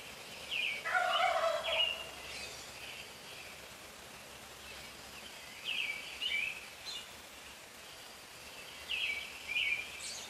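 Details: Male wild turkey in a neighbourhood at 4:45 in the morning, heard from a few feet away: one loud, rattling, gurgling gobble lasting about a second, then high, thin chirps of small songbirds repeating through the rest of the dawn chorus.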